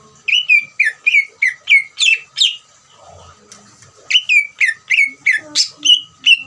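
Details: Greater green leafbird singing the ngeriwik trill to make other leafbirds sing: rapid series of bright notes dropping in pitch, about three a second, broken by a short pause, then another quick run.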